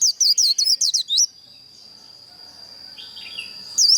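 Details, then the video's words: Contest-trained white-eye song used to provoke other birds to sing: a fast burst of high warbling, looping notes for just over a second, then a long thin steady whistle with a faint lower phrase, and warbling again at the end. "Kích lửa vành khuyên líu đấu"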